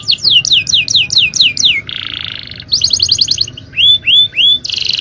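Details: Champion-style song of a male canary used to train other birds: rapid falling whistled sweeps, a rough buzzy churr, a stuttering trill, then three separate rising arched whistles and a final buzz.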